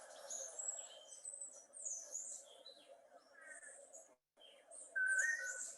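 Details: Long-tailed Manakin males in a collective courtship display, two males participating, give the liquid, slurred toledo call: two short, mellow whistled phrases against a busy background of high-chirping birds and insects.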